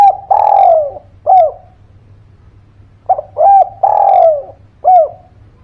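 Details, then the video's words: Two full cooing phrases of a spotted dove, offered as a lure so quiet birds start calling: long falling coo and short coo, a pause, then short, rounded, long and short coos in sequence. "Suara Pancingan Derkuku Gacor Buat Pancingan Burung Malas Bunyi, Langsung Nyaut"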